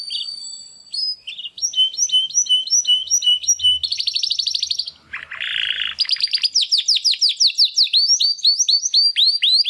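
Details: Early song attempts of young Timbrado canary brothers after their first molt, born in the second 2020 breeding: loud, varied phrases of repeated whistled notes, fast metallic trills, a lower rattling roll, and rapid sweeping high notes at the end.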